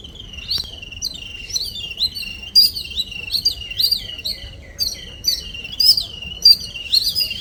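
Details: Morning-visiting small birds chattering steadily, with rapid, high, slurred chirps repeated in quick uneven bursts throughout.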